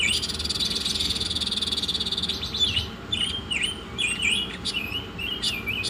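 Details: A steady buzzing rattle for over two seconds opens this Oriental magpie-robin masteran song, followed by a string of bright V-shaped whistles and high chirps.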